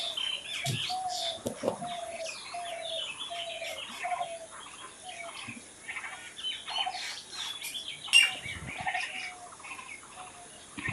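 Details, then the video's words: Natural birdsong from several birds: level whistled notes repeated in a series, buzzy trills and scattered high chips, with a sudden loud sharp call near the end over soft background noise. "Natural Birds Chirping"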